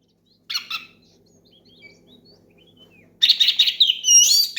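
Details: Loud Oriental magpie-robin song calling a rival and getting other magpie-robins singing: two short chirps, soft faint whistles, then a dense burst of rapid whistled and chattering notes ending in high slurred phrases.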